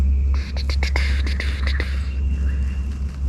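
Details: A heavy low rumble dominates, with a quick run of sharp clicks and rustling taps partway through and a faint steady high hiss; no animal voice stands out.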